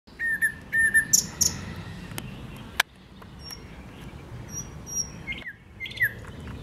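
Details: Thrush nightingale song recorded 8 May 2022: short, level whistles repeated in quick pairs, sharp clicks, and thin high notes, with a soft rural hiss behind.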